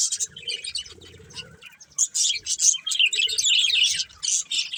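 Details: Chirping from a breeding pair of budgerigars, an irregular stream of bright, grating twitters and short squeaks, quieter at first, then louder and busier, over a faint low hum early on.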